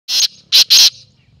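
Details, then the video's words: Male black francolin (teetar) calling: three loud, harsh, rasping bursts, the first longer and the last two close together, each a dense grating note, over a quiet background. "Teetar ki awaz | Teetar voice | Black francolin voice"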